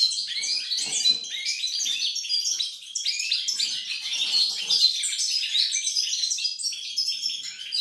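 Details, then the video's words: European goldfinch, 28 November 2020, singing a fast, varied medley of bright chips, twittered runs and harsher rattling trills, continuous across eight seconds with slight swells in loudness. "Chardonneret , El jilguero , bird , cardellino pezzato , GOLDFINCH SONG"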